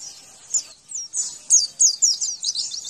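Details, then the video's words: Javan white-eye singing, used as master song to prompt other birds to reply: a quiet start, then a run of sharp, high, slurred chirps growing louder and faster toward the end. "Males bunyi Ini masterannya Di jamin langsung nyaut dan gacor kembali"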